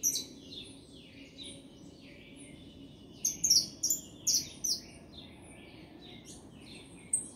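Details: Saffron finch singing: a stream of high, sharp chirped and slurred notes, quieter at first, then a louder burst of bright trilled phrases midway, over a steady low background hum.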